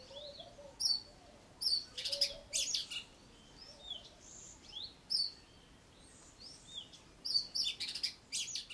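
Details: Cape robin-chat in a garden, singing with mimicry: bursts of high, sweet whistled phrases and quick chirps, broken by harsh, buzzy scolding notes (it scolds a juvenile boomslang in the recording), in irregular spurts every second or so.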